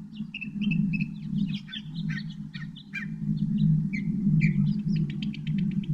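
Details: Northern mockingbird singing a rapid medley of varied phrases: short whistled slurs, buzzy bursts and a closing run of crisp repeated clicks, over a steady low rumbling hum in the background.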